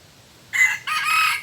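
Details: Red junglefowl crowing in forest during decoy luring of a very large wild rooster: a loud, harsh two-part crow, a short burst followed by a longer, drawn-out strained phrase, over quiet background.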